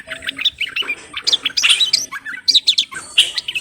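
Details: Song of a Moroccan common bulbul: a fast jumble of chirps and high whistled notes in quick clusters, busy and chattering throughout.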